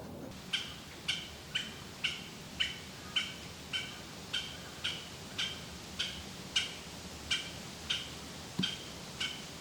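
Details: A Japanese green woodpecker (Picus awokera), a species endemic to Japan, gives a long series of sharp, high notes, about two per second, steady and evenly spaced over a quiet background.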